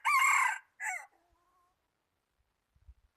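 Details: A decoy red junglefowl used in junglefowl trapping, recorded 26 January 2019. The clip opens mid-crow on a long harsh note, followed by a short falling final syllable, then quiet with a few low knocks.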